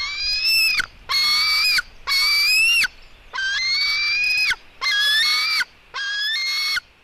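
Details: During a fight between a female white-tailed eagle eaglet and her brother, long drawn-out screeching wails, each lasting about a second, rise slightly and hold, six in a row separated by short gaps.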